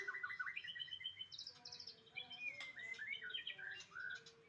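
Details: White-rumped shama song: a rapid run of varied clear whistled notes and slurred phrases, some rising and some falling, in a continuous chattering stream with a few sharp clicks and no pauses.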